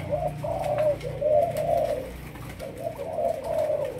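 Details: Young Malaysian spotted dove being trained as a decoy bird, cooing in low, soft, hollow phrases repeated in quick succession, each coo slightly rising and falling, with a short pause mid-clip and faint background hiss.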